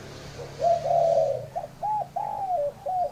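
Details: Spotted dove cooing: a series of low hooting coos, the first notes longer and blurred, then shorter arched coos in quick succession, with faint low background hum.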